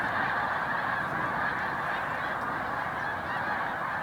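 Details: Great rafts of Snow Geese at a spring rest stop on Cayuga Lake, New York, 20 March 2021. Their high-pitched honks blend into a continuous, slightly softer clamour from many birds.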